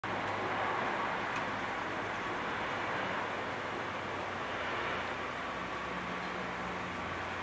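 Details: A broad, roaring aircraft drone swells and fades slightly over several seconds; no animal sounds stand out.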